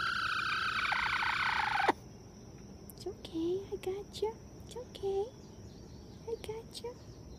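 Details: Aerial predator alarm from a Light Brahma bantam chicken: a loud, strained, steady high-pitched scream lasting about two seconds, followed by quiet low peeping notes and a person talking gently.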